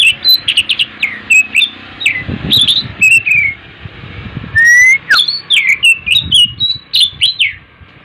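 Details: Morning song of an Oriental magpie-robin, continuous and varied: quick whistled slurs, sharp high notes and a long rising whistle, repeated in rapid phrases over a steady low rumble.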